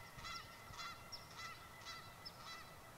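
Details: Flock of nearly thirty Canada geese on a school lawn by a lake, necks swinging hard as they call; trumpet-like honks about every half second, overlapping voices, with a steady broadband hiss underneath.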